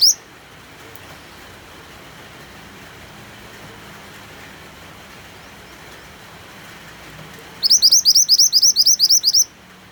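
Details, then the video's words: Steady rain hiss fills most of the recording. Near the end a white-eye breaks in with a fast burst of about ten sharp, high-pitched rising chirps, repeated evenly. "MANTENAN GACOR DENGAN SUARA HUJAN"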